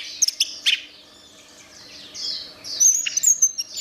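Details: Orange-headed thrush with a few sharp high chirps, a short pause, then a rising burst of squeaky twittering notes in a quiet background.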